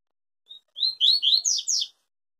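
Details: Yellow-bellied seedeater giving the Tui Tui song style, described as never breaking in song: a lone high note, then rapid buzzy, sweeping phrases rising to higher, brighter notes at the end.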